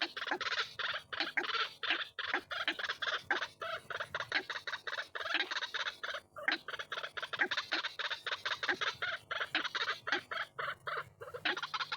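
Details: White-breasted waterhen lure calls, a long dense stream of grating, croaky notes repeated rapidly and overlapping, with barely any pauses across the recording.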